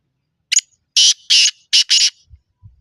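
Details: Close, loud black francolin call from a good-bloodline bird in high spirits: a short opening click, then four harsh, rasping, evenly spaced notes in pairs, crisp against silence.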